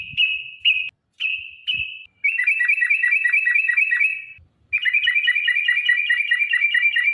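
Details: Sooty-headed bulbul used as a singing lure for caged birds: a few short level whistles, then two long, fast, even trills of rapid ringing notes separated by a short gap.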